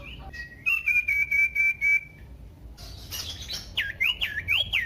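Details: Common iora song used to stir other ioras into loud singing: a sustained buzzy trilled whistle lasting over a second, then a quick run of looping up-and-down whistles, with a short noisy burst between them.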